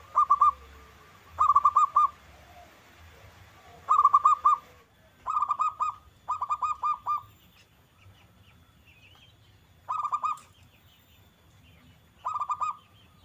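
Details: Zebra dove singing to prompt other doves to reply: short bursts of rapid, ringing cooing notes, each phrase about half a second long, repeated roughly every one to two seconds with quiet gaps.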